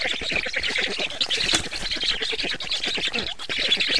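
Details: At a black stork nest, evening of 24 June 2017 during feeding: an unbroken stream of hoarse, rapid rasping calls, fast pulses pressed closely together throughout.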